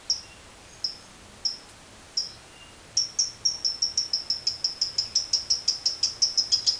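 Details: Long chattering call (ngekek panjang) of a lovebird, meant to spur other lovebirds on; a few separate high chips about every half second, then an unbroken fast run of shrill repeated notes growing slightly louder, with steady background hiss.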